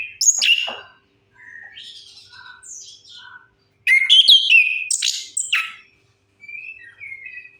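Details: Song of an orange-headed thrush used to coax silent birds into singing: a sharp high phrase, quiet scattered whistles, then a loud rapid burst of varied whistles and chips, and a soft closing warble.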